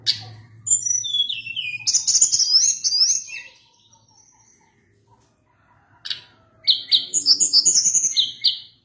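Sunda blue robin singing two bursts of rich, high, varied whistles and rapid trills, separated by a brief quiet pause; a faint low hum underneath at first.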